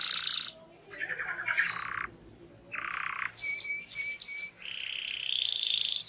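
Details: Canary song played to coax other canaries into singing: short harsh bursts and rasping chatters separated by pauses, a few clipped high notes, then a steady rising trill at the end; a faint background hiss runs throughout.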